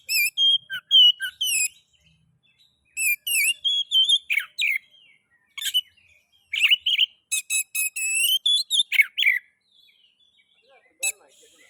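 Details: Oriental magpie-robin (kacer) lure song for stimulating other magpie-robins to sing: lively mix of clear slurred whistles, harsh rasping notes and rapid chatter in several long phrases, ending with a single sharp note.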